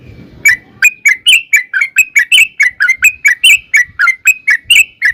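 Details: Yellow-vented bulbul singing a long 'ropel' lure song: a steady series of short, bright, slurred whistled notes, about three or four per second, each rising then falling, over faint low background noise.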